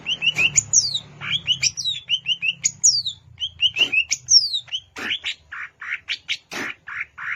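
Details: Wild greater green leafbird singing at Alas Purwo, Banyuwangi: varied bright whistled notes and sharp downslurred phrases, several high falling sweeps, then a run of short scratchy notes, with a faint low hum beneath the first half.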